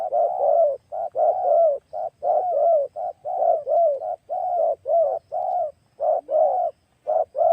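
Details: Tekukur turtle dove used as a decoy to lure wild doves, described as having a big voice; loud mellow cooing in rapid repeated notes, roughly one per second, with short gaps and clean background.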